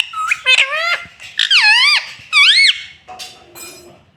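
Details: Pet green ringneck parrot talking indoors: a few squeaky, strongly bending phrases that swoop up and down, loud and nasal, ending in softer scratchy sounds.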